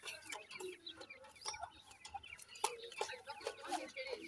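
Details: Francolin chicks calling: many thin, quick peeps that slur downward, overlapping in a busy chorus, with broad clucking bursts and rustling noise underneath.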